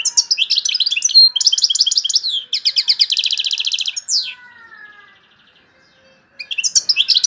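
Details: Loud Algerian European goldfinch song with torojio, kaka jio and borouis phrases: dense twittering and a long rattling buzzy trill, a sweeping slurred note, a quiet gap, then song resumes briefly.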